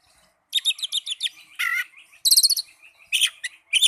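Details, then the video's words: Young Oriental magpie-robin singing: bursts of rapid scratchy chattering notes and short buzzy phrases, with brief gaps between bursts. "Terapi Burung Kacer Muda"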